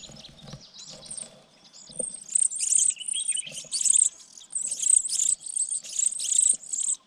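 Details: Sparrow chicks tended by parents in a nest on a pine treetop: quiet start with faint chirps, then loud, hissing high-pitched begging bursts grouped roughly every second, rising in intensity.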